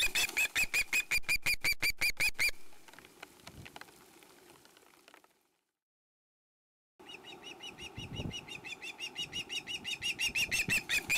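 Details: Young female osprey on a Finnish nest in Satakunta, 2017, squealing for food as her father weans her: a fast run of shrill, evenly spaced begging calls, a quieter stretch, a brief silence, then the insistent calls resume.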